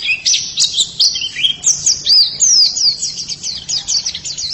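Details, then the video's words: White-eye singing a quick, high twittering phrase of sliding chirps, about two notes per second at first, then denser trilled notes toward the end. "Ini pasti pleci yang sangat super itu kicaunya"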